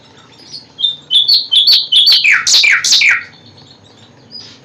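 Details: A common nightingale delivers a quick series of sharp, chirping notes that build into loud, downward-sweeping rasping notes, repeated about three times, then falls silent.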